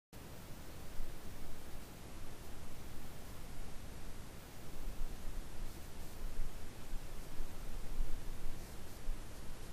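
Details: Only even hissing static and soft rustling noise, with no animal calls present.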